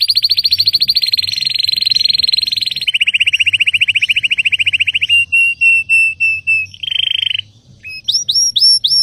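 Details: Belgian canary singing a loud, high-pitched song of fast rapid trills, first a dense buzzy roll, then a lower steady trill, separate repeated notes and a brief rising phrase at the end.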